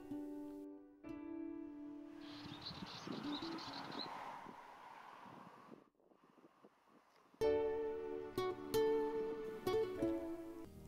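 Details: Plucked ukulele or guitar music with strummed chords; no animal sound is heard.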